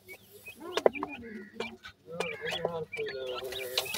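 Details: Grey francolin chicks, teetar babies in Pakistan, giving a busy run of short, clucking and chirping calls that overlap one another, some with rising harmonic notes, over a dry, close background.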